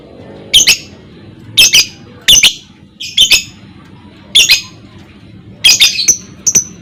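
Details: Lovebird lure recording for rousing other lovebirds to ngekek: loud, harsh, grating squawk bursts in pairs and triplets, spaced roughly one second apart, ending with a couple of thin high ticks.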